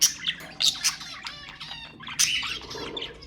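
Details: Short burst of budgerigar calls for mating stimulation, harsh squawks and buzzy rattles, then a loud squawk followed by softer warbling.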